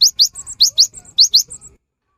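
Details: Cinereous tit song used as playback to prompt silent birds into singing: high, sharp rising notes alternating with thin whistled tones, about eight bright notes in under two seconds, then silence.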